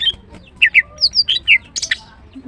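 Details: Short burst from a female greater green leafbird (green cucak): a string of clear, slurred whistled notes, each rising or falling, closed by a sharp squeaky chirp.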